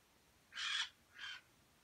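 A grey parrot gives two harsh, raspy squawks about half a second apart, the second shorter and softer, in an otherwise quiet room.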